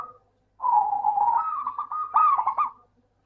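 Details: A local zebra dove (perkutut), used as a lure to get reluctant doves singing, gives a soft rolling coo at low pitch, starting with a steady purr and breaking into quick bubbly trilled notes near the end.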